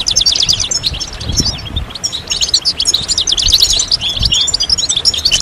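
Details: Many European goldfinches singing as a group, a recording meant to push moulting goldfinches back into song: a bright, unbroken tangle of fast liquid twitters, chirps and short trills, with little background noise.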